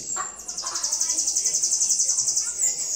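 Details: Sibite (bananaquit) delivering a high-pitched, sizzling trill of fast, evenly repeated notes that continues almost unbroken for three seconds, with faint background noise.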